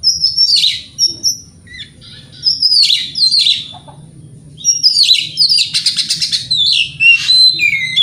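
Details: White-rumped shama song played to provoke other shamas: loud whistled phrases mixed with harsh buzzy notes and a fast rattling trill near the end, over a low hum.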